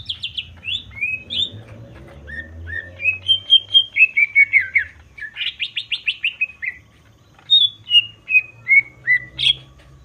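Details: Greater green leafbird, kept caged, in full varied song meant to stir other birds: strings of clear whistled phrases, falling and rising slurs, a rapid buzzy trill in the middle, steady low hum behind.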